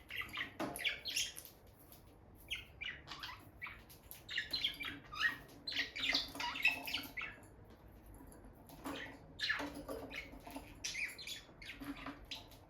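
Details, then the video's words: Bonded pair of peach-faced lovebirds near their nest box, the female going in and out, the two touching beaks and sitting side by side; dense bursts of sharp, high chirps and squawks come in quick clusters, then a quieter gap. "Parrot Chirping Sounds – Relaxing Lovebird Couple Vocalizations"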